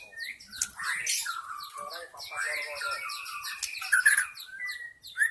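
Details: Forest white-rumped shama, recorded as a lure to draw in wild shamas: dense rapid chattering with sharp clicks, then sweet whistled notes and a rising final whistle.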